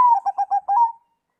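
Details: Song of a zebra dove said to set other doves replying: a soft coo opening, four or five rapid burbling notes, and a drawn-out fading coo, with a quiet background.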